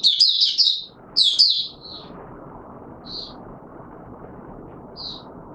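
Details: Oriental white-eye in courtship mode, recorded 25 January 2022 after sleeping late the night before: two quick bursts of high, twittering warbled notes in the first two seconds, then only a few isolated high chips over a low steady hum.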